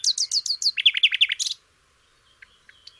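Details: A flycatcher (sikatan londo) gives a quick, high phrase: about five sharp downslurred notes, then five slightly lower ones, all within a second and a half, followed by faint distant chips.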